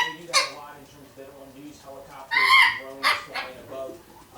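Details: A one-year-old female African grey parrot gives rich, harmonic, speech-like utterances and a loud bright whistle-like burst in the middle, imitating words she has learned.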